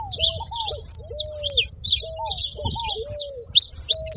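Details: Noisy saffron finches: rapid high, scratchy chirps overlapping almost constantly, alongside repeated lower, flat-topped whistled notes roughly every half second and a low rumbling background.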